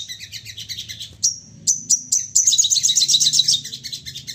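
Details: Excited crested jay firing calls in rapid succession, meant as a lure to set other birds calling: high, sharp chirps, then a few spaced piercing whistles, breaking into a fast, dense chattering rattle.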